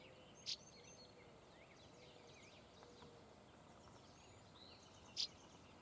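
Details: Northern Rough-winged Swallow song on Sauvie Island, Oregon: two short, rough buzzy notes about five seconds apart, over faint twittering of other birds and a low outdoor hiss.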